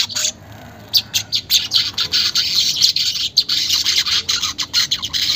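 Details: Weaver song used to stimulate caged birds, unedited: a short buzz, a pause, then a rhythmic series of high rasping chirps blending into steady chatter.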